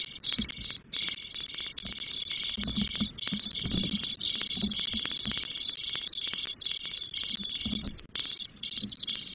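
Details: Spotless starling chicks, ten days old, begging in a nest in Doñana National Park while the female brings food: a continuous high, hissing buzz with brief gaps, plus faint low rustling and knocks inside the nest.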